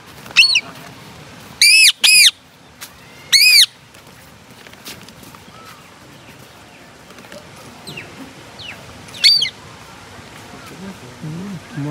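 A rose-ringed parakeet gives five harsh, grating screeches, some doubled, spaced unevenly over twelve seconds. Faint chirps sound in between, and a person speaks briefly at the end.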